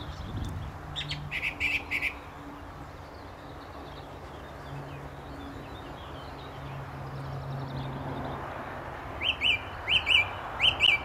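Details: Song thrush at a gravel pit near St Albans in May 2012. A few faint high notes come early, then after a quiet stretch a short sharp phrase repeats three times at the end against a steady low hum.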